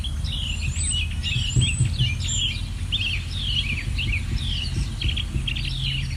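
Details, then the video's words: Wild birds in a forest neighborhood on a warm, sunny summer day; sharp, high chirps repeat steadily, several per second, with overlapping callers above a constant low rumble of background noise. "Bird chirp sound"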